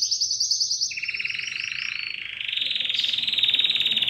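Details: Caged domestic canary in song training delivers a very high fast trill, drops abruptly into a lower rolling trill, then rises into a bright buzzy trill held steady to the end.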